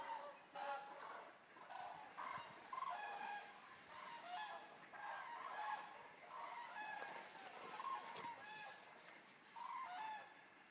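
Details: Common cranes, a resting flock of about 200 birds arriving at a stork centre in Racconigi, Italy, calling together: overlapping trumpeting, rolling calls near one kilohertz, loud then fading in bursts across the clip.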